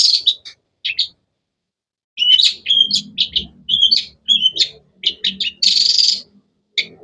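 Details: Long-tailed shrike's varied chirping: a few quick notes, a pause, then a busy stream of sharp whistles and a harsh buzzy burst near the end; faint low background noise.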